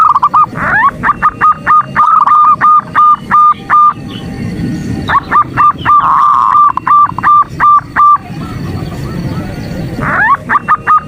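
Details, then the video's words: Female zebra dove calling to the male to stir him up, played as a morning lure: bursts of short, clipped, hooting notes repeated rapidly in even runs, each run lasting about three seconds and separated by brief pauses, with faint background noise. "Terapi pagi PERKUTUT ‼️ Sekali BUNYI yang malas BUNYI jadi BUNYI."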